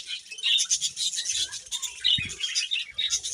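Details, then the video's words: Budgies eating grass, giving a steady rush of high, scratchy chatter and squeaks, with soft low pattering and rustling underneath. "Beautiful Budgies Grass Eating Chirping Sounds"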